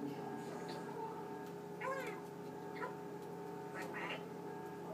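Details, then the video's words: Talking Eclectus parrot, a pet male, practising words at night before being covered; several short speech-like harmonic utterances spaced through the clip, with a steady refrigerator drone beneath. "my talking Eclectus Parrot"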